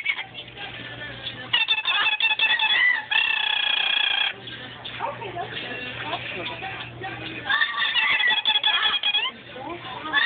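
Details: A pet male rainbow lorikeet says "here kitty kitty" in choppy, nasal phrases, then a low, steady purr-like rumble. A double yellow-headed amazon saying "Polly want a cracker?" may be heard in the background.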